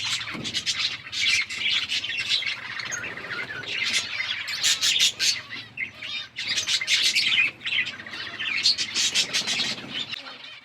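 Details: Several budgies chirping while they eat, October 29, 2023; loud, continuous overlapping tweets and chattering warbles, bright and high, rising in bursts every second or two with a faint low hum beneath.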